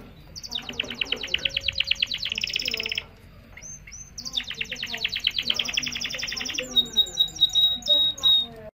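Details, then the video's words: Canary song used to train young birds by listening and to stimulate mating: fast, dense rolling trills, a brief pause near three seconds, then renewed rapid trills ending in clear, repeated whistled notes, with faint low background murmur. "تغريد طائر كناري لتسميع الفراخ و تهييج على التزاوج"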